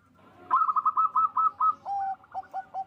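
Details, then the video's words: Local zebra dove, a loud, vigorous singer, from a Bekasi, West Java breeder, its song meant to raise mating drive. A quick run of six bubbly cooing notes, then a held low coo followed by short clipped notes. "Perkutut lokal GACOR suara besar NAIKAN BIRAHI"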